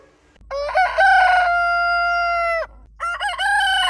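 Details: Domestic rooster crowing at morning: a long crow with a wavering start settles into a clear held tone for two seconds, then drops. A second crow begins with choppy stuttered notes.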